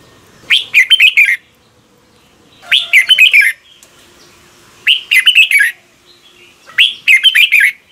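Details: Red-whiskered bulbul singing in the morning, offered as lure sound for training birds. Four evenly spaced phrases about every two seconds, each a rapid cluster of bubbly, whistled notes.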